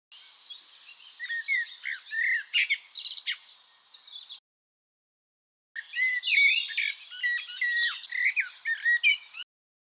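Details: Common blackbird giving an alarm call at 4:30 in the morning outside a bedroom window: bursts of sharp high chirps and twittering notes, a brief silent gap, then more rapid scratchy chatter.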